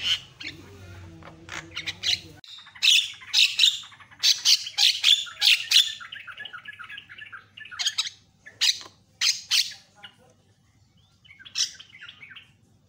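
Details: Javan myna variety song used as tutor material to fire up other mynas; loud grating squawks and chattering notes in clustered bursts, then a rolling warble, with a low rumble at the start.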